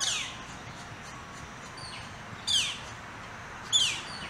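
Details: Sparring Northern flicker chicks quarrel after one received most of the food; two harsh, downward-sweeping squawks stand out near the end, with softer chirps and a steady high hiss between them.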